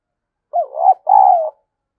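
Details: Spotted dove decoy bird cooing, a call used to stimulate other doves: a short wavering low note, a brief gap, then a longer steady hooted coo that slides slightly downward. Clean, no background sound.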